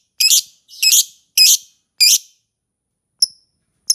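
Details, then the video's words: Lovebird uttering four loud, harsh, grating screeches about half a second apart, followed by two thin high chirps. "Suara Burung Lovebird"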